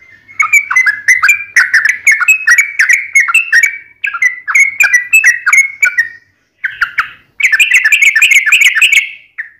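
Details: Sooty-headed bulbul (trucukan) in tarung ngalas ropel style: runs of quick bubbly whistles, a short gap, a single sharp note, then a dense burst of rapid chatter that ends in a falling whistle.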